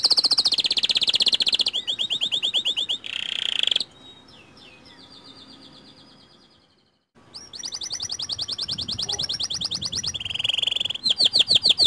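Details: White canary song used as a lure to get other canaries singing: fast, high, buzzy trills in repeated bursts, a clear warbled phrase, then near silence for about three seconds before the trilling resumes.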